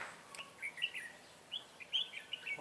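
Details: Red-whiskered bulbul in Vietnam, trapped during competition singing on 23 June 2018: short bright whistled phrases around mid-high pitch, several quick warbled notes in bursts, with faint background hiss.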